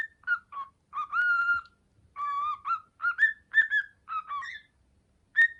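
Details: A young male cockatiel kept indoors as a pet practises the nursery song "Hato Poppo", still clumsy: short whistled phrases with ringing overtones, held notes broken by pauses, ending on a sharp single whistle.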